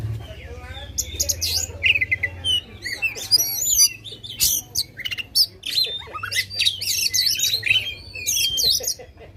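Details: Oriental magpie-robin in full voice to stir contest birds: sweet whistled slurs, sharp clicks and bursts of high chatter, varied and almost continuous, with a faint low hum underneath.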